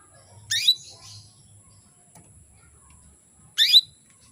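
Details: Female canary calling males into breeding mood: two loud upswept chirps about three seconds apart, the first followed by softer twittering, with a low hum underneath.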